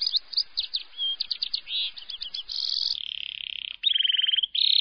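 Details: Lovebird ngekek, a long trill meant to stimulate other lovebirds to sing: quick chirps, then long buzzy notes and a fast pulsed trill.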